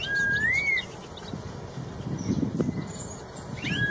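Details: Wild straw-headed bulbul (red-tailed cucak rowo) producing a single loud, rounded rising whistle and a brief start of another phrase, with low rustling noise and faint high chirps in between.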